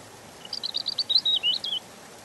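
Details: European robin delivering one rapid, tinkling phrase of high trills and sliding whistles lasting about a second and a half.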